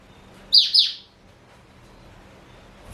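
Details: Male black-throated canary, four years old, a Somerini x Botswana cross kept as a seed- and vegetable-eating pet, gives one brief high double-noted chirping phrase, two quick sweeping notes, then quiet.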